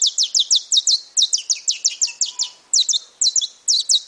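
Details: Brown-plumaged (pardo) saffron finch singing a fast run of sharp, high chirps, each sweeping downward, delivered in clusters of two or three with brief pauses; no other clear sounds.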